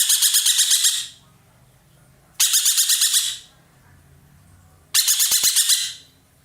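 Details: Indonesian caged roller called ekek keling delivering three coarse, rattling bursts of rapid beats, each about a second long and repeated every two and a half seconds, with low murmuring in the background.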